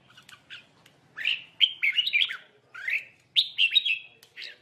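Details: Red-whiskered bulbul caught with a lure bird, birds fighting; a few soft notes, then loud, bright warbled chirping phrases in three main bursts, slurred and slightly buzzy.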